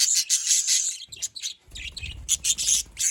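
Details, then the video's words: Budgerigars from Larkana, Sindh in dense, high-pitched chirping chatter with rapid twittering bursts throughout, pausing briefly near the middle, plus some low thumping noises. "Parrot talking sounds || parrot calling sound"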